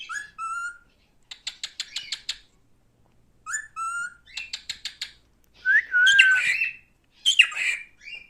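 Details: Pet male cockatiel whistling: clean upward-sweeping whistled notes alternate with runs of quick ticking chirps, then a long wavering warble and a final burst of harsh notes.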